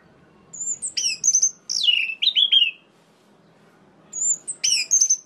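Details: Orange-headed thrush song meant to provoke other males into rage: high whistled notes, then buzzy trilled bursts and falling slurred whistles, a pause, then the phrase starts again.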